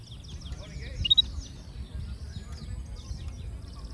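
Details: Yellow-fronted canary (Serinus mozambicus) singing a quick run of high, thin chirps and twittering notes, brighter in the first second and a half, then softer warbling over a steady low rumble.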